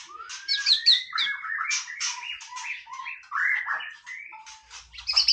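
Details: White-rumped shama singing casually, a continuous rich warble of clear whistles, slurs and harsher notes, changing pitch constantly with no pause.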